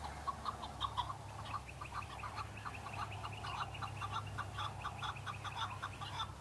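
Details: Several chukar partridge males in the fighting season answering one another before fighting, displaying for females; dense overlapping chuk-chuk notes pouring out continuously, with a steady low hum in the background.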